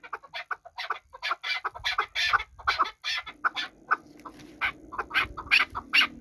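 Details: Hunting chukar partridges from Kabodiyon giving a run of rough, clucking calls that overlap and repeat rapidly, with a low background hum in the second half.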